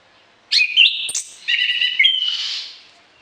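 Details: Orange-headed thrush in full song with varied fill-in phrases, suited for tutoring other songbirds in the morning and evening. A quick sequence of bright whistled and slurred notes, some high and sharp, ends in a softer, breathy phrase.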